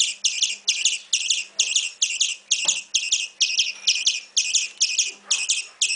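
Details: Begging European greenfinch nestling giving a rapid, regular run of harsh, buzzy high chirps, about two per second, each a broad raspy burst, with faint clicks underneath.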